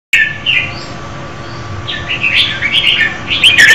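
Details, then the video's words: Female red-whiskered bulbul singing to stimulate a male: short warbled phrases around the middle-high range, a brief burst early then a longer jumbled run of chirpy notes in the second half, over steady low background hum. "Chào mào mái hót kích trống Red-whiskered female"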